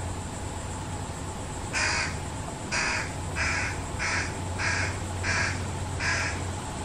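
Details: Fish crow parents feeding their single fledgling; a run of seven short nasal caws, evenly spaced about half a second to a second apart, harmonic-rich, with low rumbling hum underneath.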